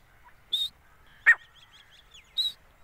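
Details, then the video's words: Calling female grey francolin: a high clear whistle, a loud harsh burst with soft chirps after it, then another whistle, repeated under a second apart in quiet surroundings. "teeter awaz | piyari awaz | desi teeter ki boli | gora teeter"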